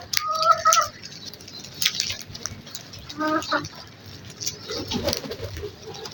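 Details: A crow at morning feeding time gives a short nasal call near the start, then a quick run of rougher notes, with faint chirps of small birds and murmuring voices behind.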